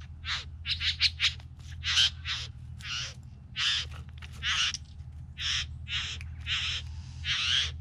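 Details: Three bowerbirds give harsh, rasping hisses and churrs in uneven bursts, roughly one a second, over a steady low rumble.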